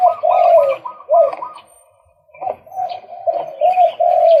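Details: Male white-breasted waterhen giving loud, repeated croaking notes in quick succession, each slightly upswept, a short pause mid-clip, then a fresh run of the same rhythmic calls.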